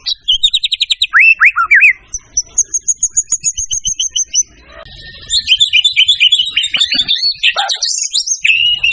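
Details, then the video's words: Murai batu (white-rumped shama) in a birdkeepers' training recording: a fast rattling series of high notes, sliding whistled phrases, a brief lull, then a dense tumbling burst of varied whistles and trills. "siapkan mental burung anda jika mendengar suara burung murai satu ini"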